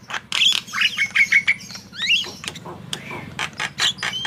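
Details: Javan myna in continuous song for prompting other birds: scratchy, squealing notes and a couple of sliding whistles over a constant low humming background.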